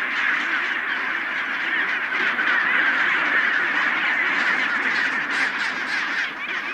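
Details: Chinstrap penguin colony on Deception Island near the northern end of the Antarctic Peninsula: a dense, unbroken din of many harsh, braying, honking calls overlapping into a steady roar, no single bird standing out.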